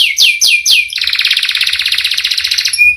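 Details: Canary in full song, four quick downslurred whistles followed by a rapid, even rolling trill lasting about two seconds.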